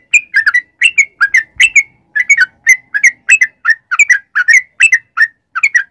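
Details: Yellow-vented bulbul singing, used as a lure to set other birds singing: short, liquid whistled notes in quick pairs and triplets, repeated steadily with brief gaps and clean, bright tone.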